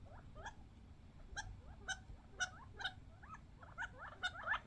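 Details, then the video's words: Young wild desert quail, only a few months old, fighting over birdseed: quick, squeaky chirping notes in rapid clusters, with sharper high ticks every half second or so, over a low background rumble. "Quail fighting over seeds funny sounds"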